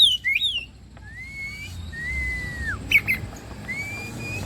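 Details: Oriental magpie-robin song, used as bait to prompt singing: a few drawn-out whistles, each rising or held steady, and one falling sharply at its end, over steady low background noise.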